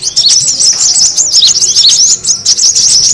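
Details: Busy brown-throated sunbird chatter meant to attract birds: thin, piercing chirps and little up-and-down slurs tumble over one another in a steady, loud stream.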